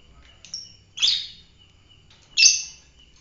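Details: Three shrill chirps from a fighter lovebird, a thin short note followed by two louder, harsh screechy bursts about a second apart, with a steady high hum behind.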